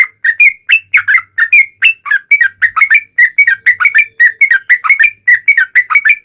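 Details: Long ropel song of a yellow-vented bulbul, played to make bulbuls respond: continuous bubbling sequence of short whistled notes, paired and tripled, rising and dipping, with faint low hum beneath.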